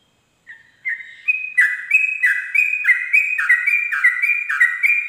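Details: Sooty-headed bulbul ropel song at dawn, played as a tutor lure: starts with a soft whistle, then builds into a rapid, regular chain of paired high-low whistled notes, about three per second.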